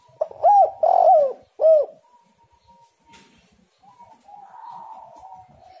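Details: Spotted dove call used as a lure to get doves calling: three loud, mellow, hollow coos in quick succession, the middle one longest, followed by faint, thin, drawn-out tones in a quiet setting.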